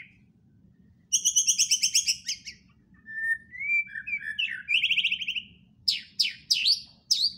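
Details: White-rumped shama with a loud buzzy rattle, then a twisting whistled passage, another harsh trill, and sharp downslurred notes.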